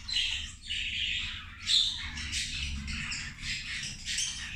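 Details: Lunchtime zebra finches calling while feeding: brief bursts of nasal, buzzy chatter from several birds in quick succession, with a sharp tinny note near the second mark over a soft low hum.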